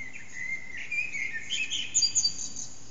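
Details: Early-morning Eurasian blackbird song at about 4:30am, unseen in a backyard whose echo amplifies it, phone-recorded on an HTC Desire; low warbled whistles give way to a burst of shrill, squeaky twitters near the end.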